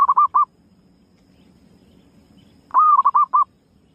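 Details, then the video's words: Lure call of a female zebra dove: a phrase of short cooing notes ending, then after about two seconds of quiet a new phrase of one longer tonal note followed by three quick staccato coos. "Suara Pikat Burung Perkutut Betina Gacor Sekali Dengar Langsung Datang"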